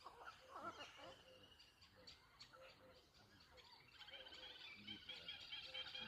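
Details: Birds chirping at Lonar Lake: a busy mix of short, high chirps and twittering notes from several birds, with a brief thin whistled trill near the end and faint voices in the background.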